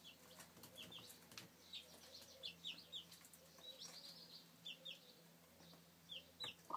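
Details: Domestic chicks in 2013 peeping rapidly, many short high falling cheeps in quick overlapping runs, along with frequent clicks, scratching and brief thumps.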